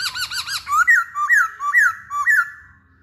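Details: Masked laughingthrush singing energetically: several fast arched notes with rich overtones, then four loud whistles that each rise sharply and drop back, evenly spaced about half a second apart.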